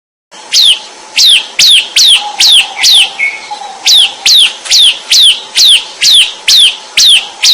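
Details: Bar-winged prinia singing vigorously: a loud series of sharp, downward-sweeping whistled notes, about two or three per second, with a steady faint hum in the background.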